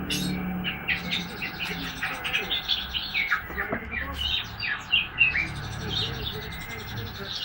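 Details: A young white-rumped shama, Medan type, about three months old, beginning to sing. Scattered short chirps and thin whistled notes come in an irregular, halting run over a steady low background rumble.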